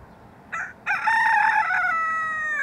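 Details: Silkie chicken, first taken for a hen and possibly a rooster, giving a crow: a short harsh opening note, then a long sustained harmonic-rich cry held steady for over a second and a half, ending level.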